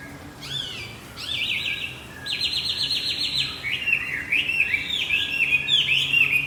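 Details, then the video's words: Javan white-eye singing as a lure to trigger a stalled male: sharp rising chirps, then a fast buzzy trill of rapid repeated notes, followed by a lively run of bouncing high warbles. "Pancingan kicau wambi macet"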